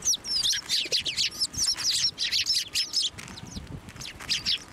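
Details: Flock of sparrows crowding onto a hand to be fed at a shrine, recorded 18 March 2024; dense overlapping high chirps and short twitters, many birds calling at once, easing slightly after three seconds.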